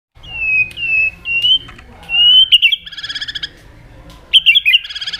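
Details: White-rumped shama song used as a lure to stir silent shamas into singing: clear whistled notes sliding around a high pitch, then rapid rattling trills and sharp repeated notes, with faint low background hum.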